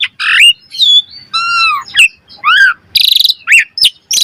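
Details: Varied song of an Asian pied starling used to train birds, mixing harsh noisy bursts, arched harmonic whistles, a rapid rattling buzz and sharp upswept notes.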